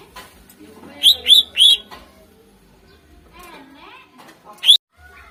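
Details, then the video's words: Greater green leafbird song, used as a lure to spur contest birds: three quick bright whistled notes in a row, a lower warbling phrase, then one more sharp high note, with faint background noise between. "Suara Full Cucak Ijo Gacor Ampuh Untk Pancingan Burung Kontes"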